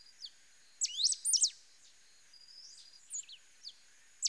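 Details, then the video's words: Pale-throated pampa-finch singing: a fast burst of sharp, high up-sweeping and looping chirps, then quieter scattered notes, a thin level whistle and another abrupt high chirp at the end. "CANTO DO RABO MOLE DA SERRA"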